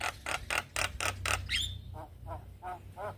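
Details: Male Javan myna calling young companions: six loud harsh rasping bursts in quick succession and a whistled slide, then fainter nasal notes repeated about every third of a second.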